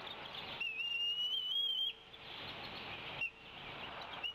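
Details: Female bald eagle calling off the Decorah nest, 27 April 2016, as the male feeds the young. One drawn-out, high, slightly rising whistle, then two short clipped notes over a steady background rush.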